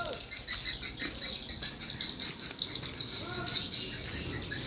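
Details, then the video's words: Swiftlets responding at a small swiftlet house: a dense, continuous chatter of high, overlapping chirps and twitters with rapid irregular repeats and no pause, plus a faint rattling texture underneath. "rbw mini walet respon joss"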